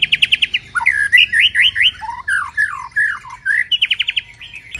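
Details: White-rumped shama during moult: bright looping whistled phrases and slurred notes, bracketed by short bursts of quick pulsed notes.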